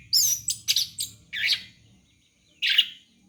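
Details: Used as a lure for young birds, this orange-headed thrush song gives loud, sharp chirps and warbled notes in short bursts, then a gap before one final rich phrase.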